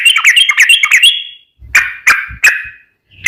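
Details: Yellow-vented bulbul (trucukan) in a lure recording: a rapid bubbly phrase of slurred notes, then three separate harsher notes with faint low thumps.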